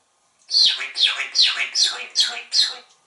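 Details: Pet African grey parrot, hatched in 1997, on a screen porch at home in Texas, serenading the birds and squirrels: six harsh, bright, downslurred squawking notes in quick succession, roughly three per second, with no other sounds.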